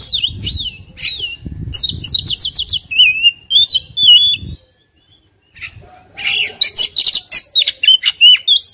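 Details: An aggressive Oriental magpie-robin, puffed up and tail spread, pours out looping whistled phrases over a low rumble. After a short silence it resumes with rapid, harsh, buzzy notes.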